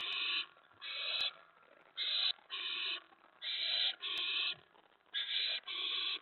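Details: At a nest before dawn, 4:46 AM, May 15, 2017, as a mouse is delivered, an owl gives harsh, rasping hisses in short bursts, often in pairs, about eight bursts in six seconds, with faint clicks between.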